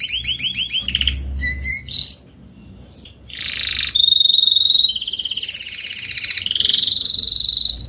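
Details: An adult Spanish Timbrado canary of salsa colour, back from its moult, sings a varied, high-pitched song: quick rolling chips, metallic notes, a short whistle, then long rapid trills and buzzy rattles.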